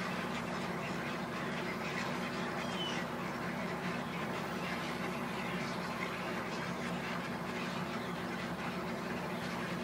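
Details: Thousands of egrets arriving to roost make a dense, unbroken din of harsh, croaking squawks from many birds at once, overlapping without pause in a hoarse, rasping roar.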